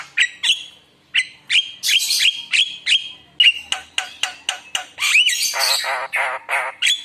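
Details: Javan myna song for luring other mynas into singing: clipped whistles, then loud harsh notes and flat whistled tones, ending in a buzzy, wavering, rasping stretch.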